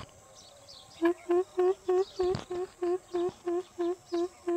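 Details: Greater coucal (mahok) calling with a steady series of about eleven deep, resonant hoop notes, evenly spaced roughly three per second, after a quiet start; one brief knock partway through.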